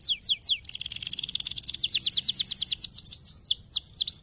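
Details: Canary song meant to stimulate other canaries into singing: fast, steady rolling trills of downward-sweeping chirps, bright and high, with changing tempo and a few forked notes near the end.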